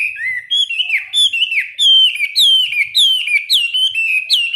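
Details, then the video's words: Caged Chinese hwamei singing in a morning training session: fluent, nearly unbroken whistled warbling. Steady held tones alternate with quick slides and loops, delivered loud and rich. "Luyện hót cho họa mi mỗi ngày 15 phút vào buổi sáng đối với chim chơi giàn cứng"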